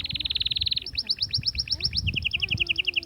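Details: Atlantic canary song for stimulating females before mating: a fast, even rattle of notes, then higher pulsed notes repeated in quick succession, then a lower rolling trill, continuous and loud over faint low background hum.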